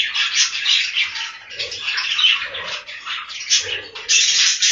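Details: In a budgie farm's breeding room, budgerigars produce a steady, rasping chatter of fast chirps and warbles that grows louder again at the close.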